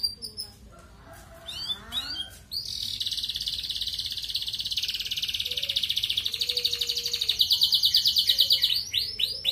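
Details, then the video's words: Canary in gacor ngerek style, played to raise breeding desire in female red canaries: a few short notes, then long, dense buzzy rolling trills held high and steady, pulsing several times a second and rising slightly near the end. "Bunyi Kenari Pancingan Untuk Burung Ombyokan"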